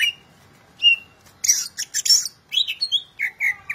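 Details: Greater green leafbird, a national champion singer used as a tutor for other birds, singing a varied song of clear whistles and rapid buzzy chattering notes, with a quiet gap before the song.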